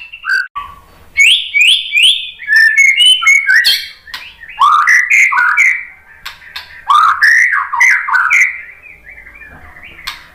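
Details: White-rumped shama song, a lure recording meant to make other shamas sing: short bursts of rapid, rising slurred whistles and squeaky notes, split by brief pauses, with high clicky accents.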